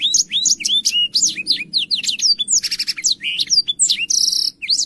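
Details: Energetic Black-throated canary song used to tutor young canaries: quick rising and falling whistled notes tumbling together, a dry buzzy burst midway, and a steady high trill near the end over a soft low hum.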